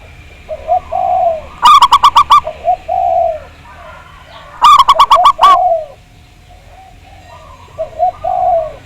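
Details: Zebra dove, a local Javanese bird, in a lure recording meant to make doves sing. Mellow, gurgling coo phrases alternate with two loud bursts of rapid, clipped, ringing notes, each about five to six notes long.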